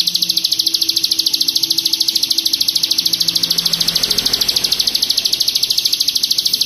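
Hill prinia in a steady, high, buzzy chatter of rapid notes, about three per second, unbroken throughout, with a faint low hum underneath.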